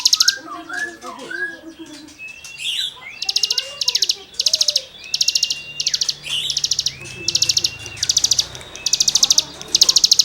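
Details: Cigun singing to tutor songbirds: a steady series of short, fast, scratchy high bursts about once a second, while other birds warble lower, looping phrases early in the recording.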